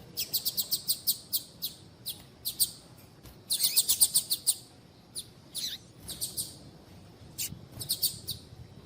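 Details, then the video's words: Piadeira female Double-collared seedeater calling to excite males, giving steady high, thin chips in irregular series, with a denser run of bright notes near the middle, all against faint background hiss. "Fêmea de Papa capim piadeira para Esquentar Papa capim"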